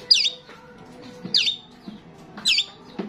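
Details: Gacor starling singing to attract its kind, three harsh, high downsweeping chirps about a second apart, each followed by a low soft note, with quiet background chatter.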